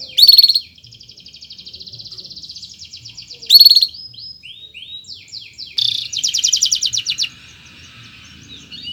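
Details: Canary giving a long chirping training song: two loud harsh bursts, each followed by a soft buzzing trill, then a fast rolling rattle and sweeping notes.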